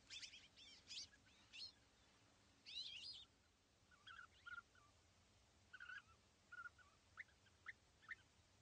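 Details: Pair of European bee-eaters perched together in small trees at East Leake Quarry, 80 metres away, very sunny morning of 5 July 2017; high, scratchy notes open the recording, then short burry calls recur irregularly.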